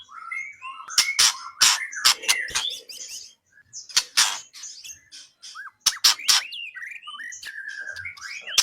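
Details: Training recording of White-rumped shama for songbird contests: harsh rasping bursts alternate with clear whistles and slurred, rising and falling notes, delivered in rapid, varied phrases.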